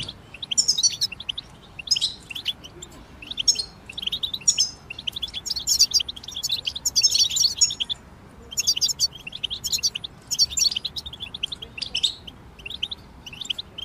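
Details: Chorus of European goldfinches singing together, played to help goldfinches sing through the moult; continuous high-pitched twittering with bursts of rapid tinkling trills and brief gaps, steady faint background hiss.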